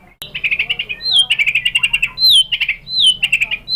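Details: White-rumped shama (murai batu) lure song from Indonesia, played to provoke shamas to answer and sing. Rapid series of short, bright repeated notes, broken by several loud whistled phrases that rise, then fall.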